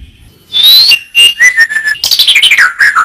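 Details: Masteran recording of white-rumped shama (murai batu): a clear rising whistle, a pair of pure level whistled notes, then a fast, descending run of bright twittering notes.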